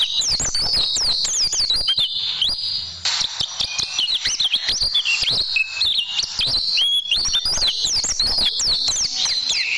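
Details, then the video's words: Oriental white-eye tutoring song for caged birds: dense, rapid high-pitched twittering with sweeping slurred whistles running nearly the whole time. "Masteran Burung Pleci Dan Tembakan Super Ampuh Pleci Juara"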